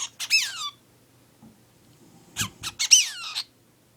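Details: A male lutino cockatiel making a newly learned sound indoors gives harsh, high, downward-sliding squawks, a quick pair then a burst of four or five, while a dog snores heavily nearby.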